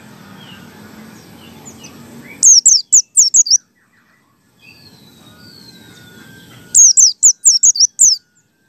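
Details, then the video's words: White-eye in pleci ngalas style, played as a lure to prompt other white-eyes to sing: two bursts of quick, high, sharply descending whistles, five or six notes each, separated by a few seconds of quiet hiss. "PLECI BUKA PARUH ngalas 1,2,3 di jamin AMPUH UNTUK PANCINGAN PLECI"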